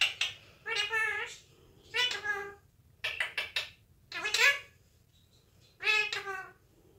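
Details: Indoor Indian ringneck parakeet chattering in mimicked speech: five or six short, nasal, word-like phrases with steady high tones and brief clipped syllables, separated by short pauses in a quiet room.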